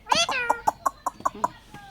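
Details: A talking Indian ringneck parrot opens with a harmonic, nasal wail, then rattles off a series of about seven short, punchy syllables at an even pace.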